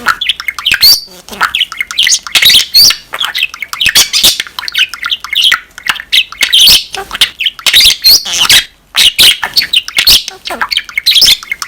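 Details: Caged pet budgerigar in continuous chattering song: rapid, bright squeaks, clicks and harsh squawks in dense bursts, with imitated words turning up unexpectedly mid-warble.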